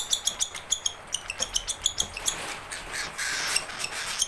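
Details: Baby cockatiel, hungry and upset, calling for its keeper: a fast run of high, ringing chirps, several each second, breaking into a longer harsh raspy wheeze.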